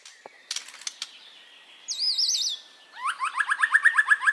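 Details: Song of a white-rumped shama, meant to coax caged birds into singing: a few sharp clicks, a loud wavering whistle, then a fast string of rising chirps repeated about ten times.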